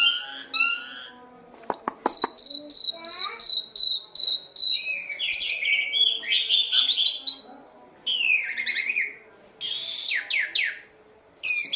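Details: Asian pied starling, in a recording made for training captive birds, sings a long series of clear repeated whistles. Harsh clicks and varied fluty, slurred phrases follow, with short gaps between bursts.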